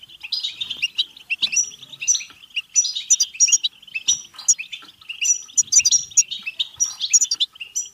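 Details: European goldfinch singing a batbata-type song used to spur goldfinches to sing and breed: long runs of rapid high twittering broken by clusters of bright, ringing whistles, with short quieter gaps between phrases.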